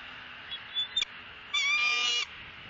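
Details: Female bald eagle on a Southwest Florida nest, filmed by nest camera on 3 January 2017, squawking to beg while the male eats a fish and passes her bites: a brief chirp, then a harsh, high squeal over a steady hiss.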